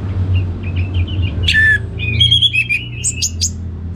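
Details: Orange-headed thrush with soft quick notes building into a loud clear whistle, then a busy series of bright chirps and high ringing notes over a low hum.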